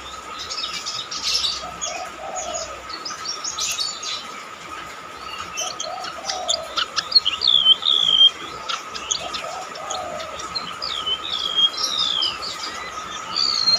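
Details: Golden-bellied gerygone (Gerygone sulphurea) song: thin, high, sliding whistles in short phrases every few seconds, over a steady electrical-like hum and faint lower bird notes.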